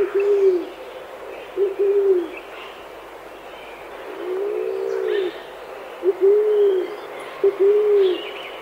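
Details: Chilean pigeon recorded in Chile: a series of low, rounded coos, short arched notes in twos and a longer, fuller coo, spaced irregularly over several seconds, with faint higher chirps of other birds in the background.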